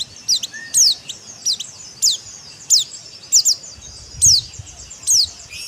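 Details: White-eye, locally called pleci, singing in the dakbal style: high, thin down-slurred whistles repeated roughly every half to one second, some in close pairs, over faint steady background hiss.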